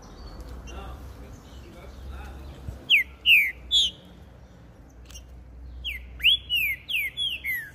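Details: Green-winged saltator (trinca-ferro) singing from a hand-held cage on a street. After quiet street background, two phrases of loud, clear whistled notes slur downward, each a short run of four or five notes, with a man talking before.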